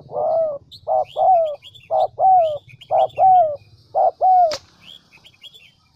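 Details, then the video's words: ['Spotted dove kept as a Central Highlands decoy bird, giving mellow two-part coos, a brief note then a longer falling one, repeated about four times, followed by a sharp click and twittering small birds.'] "Chim Cu gáy mồi đỉnh tây nguyên"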